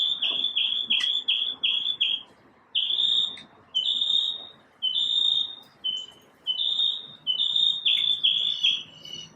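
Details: Morning song of a single bird: clear, high whistled notes, first short and quickly repeated, then longer notes in bursts separated by brief silences. A faint low hum runs underneath.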